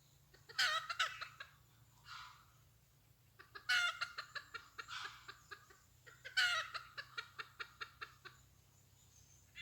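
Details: Red junglefowl hen, a new and untrained decoy used to lure wild junglefowl for trapping; loud bursts of rapid clucks, each run of about ten notes fading in strength, recurring roughly every three seconds.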